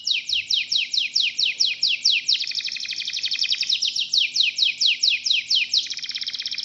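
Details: Local domestic canary in full song, rapid repeated high buzzy notes in rolling trills that change tempo every few seconds, sung with other canaries chiming in.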